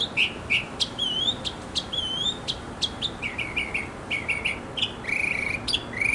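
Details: Male mockingbird singing in a backyard for several minutes to attract a female: varied phrases of chirps, wavering and down-slurred whistles, each phrase repeated a few times before switching.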